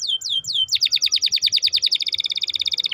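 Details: Canary 'cuit-cuit' lure song meant to coax a reluctant canary to sing: three descending whistled slurs, then a long, rapid, evenly pulsed high trill of about twenty notes ending in a lower buzz.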